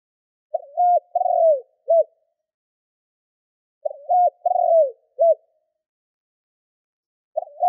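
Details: Spotted dove kept as a lure for other doves, delivering two full low coo phrases about three and a half seconds apart and the start of a third, with silence between.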